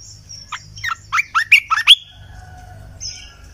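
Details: {'caption': 'Red-eyed bulbul giving a decoy song: a brisk bubbling phrase of around seven slurred notes, the last ones louder and sweeping upward, with a thin high whistle before it.'}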